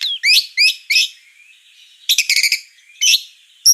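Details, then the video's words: Vigorous white-rumped shama song of short, bright, high phrases: three quick rising-and-falling notes, a pause with a thin faint tone, then a fast chattering burst and another bright phrase. "Suara kicau burung murai batu gacor"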